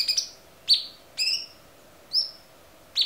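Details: Cucak cungkok in a clear training recording: single high, sharp chirps with rich overtones, each dropping quickly in pitch, spaced about half a second to a second apart over quiet background.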